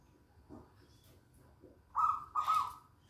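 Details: Local zebra dove in lively song, after soft low murmurs, delivers two bright, trilling coos in quick succession near the end.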